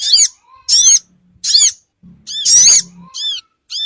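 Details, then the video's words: Lure call of the Sogon bird, meant to gather small wild birds quickly: loud, high, buzzy arched notes in bursts less than a second apart, one longer burst, with faint low humming underneath. "suara pikat burung Sogon ampuh cepat ngumpul"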